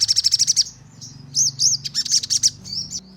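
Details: Crimson sunbird song played as a lure for responsive singing: a fast even trill of very high notes, then looping, slurred high whistles and sharp chips over a faint low hum.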